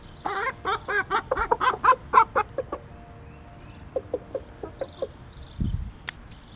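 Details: Rooster calling to his hens that he has found food and showing where it is: a rapid run of about a dozen sharp, clucking pulses in under three seconds, then a softer, slower string of clucks after a short pause.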